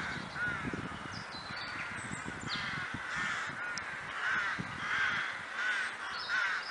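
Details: Crows gathered in the Kraaienbos near Vaals, a steady chorus of rough, grating caws from numerous birds with scattered rustling noises underneath.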